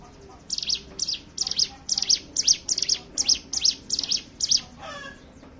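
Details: Hill prinia singing as a lure for other birds: sharp, high-pitched chattering bursts repeated rapidly, two or three per second, each a fast zigzag of notes, ending with a softer lower warble.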